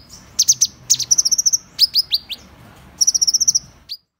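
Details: Van Hasselt's sunbird singing in high, thin bursts: fast runs of bright tinkling notes alternating with steep rising chips, then a final lone upswept note before sudden silence.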